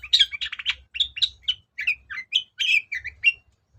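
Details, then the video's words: Lure song of a Long-tailed shrike, meant to stir silent shrikes into calling back: a busy, varied stream of scratchy chirps, squeaks and short whistled notes delivered rapidly with brief pauses, low hum in the background. "BURUNG CENDET GACOR || SUARA PIKAT CENDET SUSAH BUNYI"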